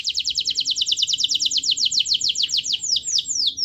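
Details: Gacor canary song, used as a lure to prompt a lazy canary to sing: a rapid, high, even trill of repeated notes that slows near the end into a few sweeping, falling whistles.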